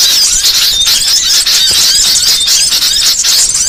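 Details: Small songbirds in a varied training recording for songbirds: dense, high-pitched twittering and chirping with fast trills and sweeping whistles, continuous and loud throughout, no pauses.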